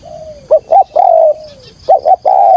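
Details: Spotted dove giving a trapping lure call: a long falling coo, then paired short hooked notes and a sustained cooing note, repeated twice in quick succession, loud and clear.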